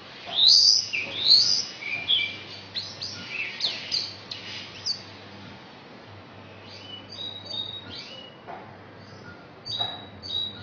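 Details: Asian pied starling from Indonesia singing a song that mimics magpie-robin and canary: loud, clear whistled and chirped notes sweeping up and down, strongest in the first seconds, then softer scattered chips over faint steady hum.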